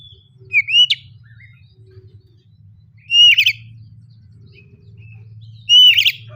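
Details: Oriental magpie-robin lure song in the open, loud ngeplong style; three bright whistled phrases, each a clear note sliding into a buzzy trill, about two seconds apart, over a steady low hum.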